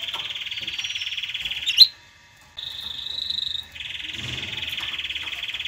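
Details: Canary singing to excite females to mate and to train young: a rapid pulsed trill, a sharp click, a short silence, then a higher tour followed by a lower rolling trill.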